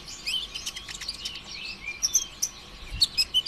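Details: Lively olive-backed sunbird song, the konin ijoan style used to provoke other birds into singing: dense, very high twittering with sharp chips and short whistled slurs tumbling rapidly over each other.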